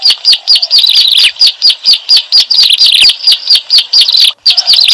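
Bar-winged prinia giving loud, high, sharp chirps in a rapid, steady run of about two notes per second, with faint overlapping twitters behind.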